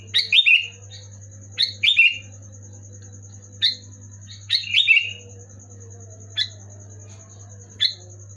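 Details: Loud, clear Sooty-headed bulbul song used to spur quiet or moulting bulbuls to sing: clusters of bubbly downslurred whistles at the start and middle, then single sharp notes spaced over a second apart, with continuous low hum.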